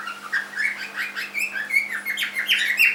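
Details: Young cockatiel, three months old, kept as a pet, chattering in a fast continuous string of short squeaky chirps that rise and fall irregularly, roughly three notes per second, against a faint indoor hum.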